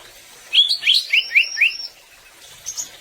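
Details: Greater green leafbird (cucak ijo) giving a quick phrase of five bright sweeping whistled notes, rising then falling, followed by a short pause and a faint high chirp.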